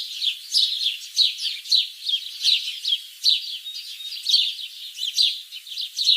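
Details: Common myna chatter: quick, sharp chirping notes repeated about twice a second in a steady, lively stream.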